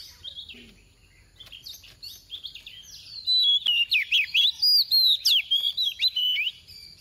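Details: Soft-voiced female oriental magpie-robin decoy sings 'tìu tíu tiu' to trigger singing in others: a few scattered high chirps, then a loud burst of rapid, piercing whistled notes swooping up and down, nearly four per second.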